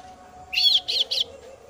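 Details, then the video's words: Three loud, grating bursts in quick succession from a female kasu-kasu chick calling its parent, each rough and broad-toned, over a low hum. "suara anakan burung kasu kasu betina memangil induk nya"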